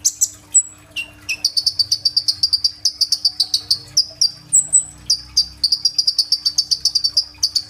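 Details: A kolibri ninja sunbird performs a rolling 'roll tembak' song with fill-in phrases. A few thin whistles lead into a long, rapid, steadily repeated series of high, buzzy chirps, nearly four per second. Phone recording.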